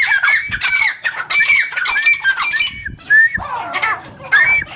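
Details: Home-kept francolins, unedited footage: four harsh, ringing squawks in a row, then a pause and scattered rising notes, ending with another grating squawk; birds sound close and loud.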